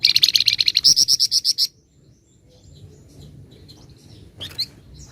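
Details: A flamboyan opens with a long, fast series of high pulsed notes in dense nyecret chatter. The notes rise slightly toward the end, then give way to near quiet and a few faint chips.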